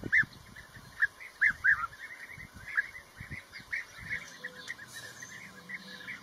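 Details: Blue-tailed bee-eater calls: a few loud, clipped trilled chirps in quick succession near the start, then softer overlapping chirps from other birds, with low thumps and a faint background hum.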